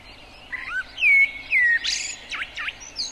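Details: Blackbird singing one phrase: soft low warble, two clear descending whistles, then loud scratchy high squeaks and a few sharp downslurred chirps, with slight background hiss.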